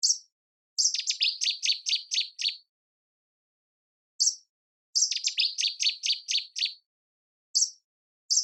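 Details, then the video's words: Common Nightingale singing among flowers: a single high note, then a fast run of seven or eight sharp descending notes, the phrase repeated about every four seconds against silence. "Nightingale Singing"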